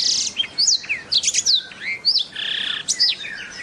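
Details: Black-throated canary song: a rapid, varied run of high whistled slurs, rising and falling sweeps and a short buzzy trill, delivered in quick bursts with brief gaps.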